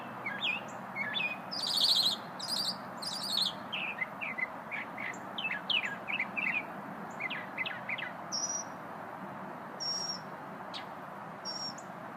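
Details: Unidentified small bird delivering a lively song during a lunch-break stop: bright buzzy high bursts, then tumbling chirps and a few sharp whistled notes, against a softer steady hiss.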